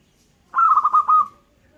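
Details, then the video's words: Zebra dove, a local perkutut, giving a single brief cooing phrase of four or five quick rounded pulses, slightly falling and fading at the end, in otherwise quiet surroundings. "suara perkutut lokal gacor"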